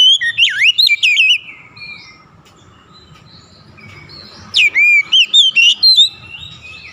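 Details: Oriental magpie-robin singing two bursts of loud, rapid whistled notes that swoop and twist up and down, separated by a quiet pause of about three seconds with faint distant birds behind.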